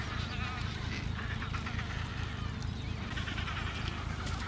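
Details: A dense chorus of Adélie penguins at their breeding colony, Paulet Island, Antarctica, 1 February 2019. Many bleating, wavering calls overlap continuously, heard above a strong low wind rumble.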